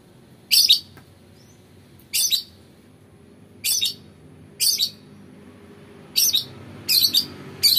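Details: Long-tailed shrike, a lure recording, giving short harsh scratchy bursts, broad and noisy, about six calls spaced irregularly over eight seconds against a quiet low hum.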